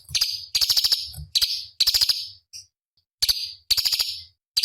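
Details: Cucak cungkok bulbul song, a master recording for teaching contest birds: dense buzzy, sizzling chatter phrases run together, a short gap, then more rasping bursts.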